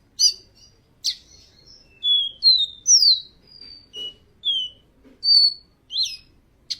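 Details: Caboclinho seedeater singing sharp clicks and short whistled slurs. Some notes rise and others fall, with uneven pauses between phrases and a quiet background.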